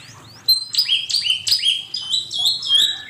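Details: Asian pied starling singing in a training master recording: loud, rapid run of downward-sweeping whistled notes, each sliding into a level high whistle, delivered in quick succession for about two and a half seconds.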